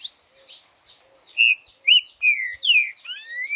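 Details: Green-winged saltator, four-note 'boi' song: a phrase of clear, loud whistled notes, several sliding downward and the last rising, over a faint, evenly repeated low tone and soft high chips.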